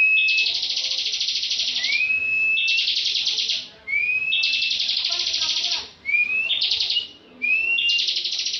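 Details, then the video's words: Almost continuous ngebren song of a bar-winged prinia, a contest bird that sings tirelessly: sweeping rising whistles lead straight into long pulsed buzzy trills, with only brief gaps. "Ciblek ngebren full"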